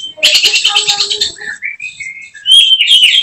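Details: Caged oriental magpie-robin (kacer) kept for songbird contests: a coarse rattling burst, a drawn-out whistle gliding down, then a loud bright whistled phrase.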